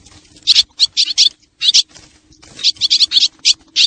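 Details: Lure recording of swallows from Xieng Khouang: short groups of shrill, squeaky twitters separated by a gap of nearly a second, over a soft constant low hum.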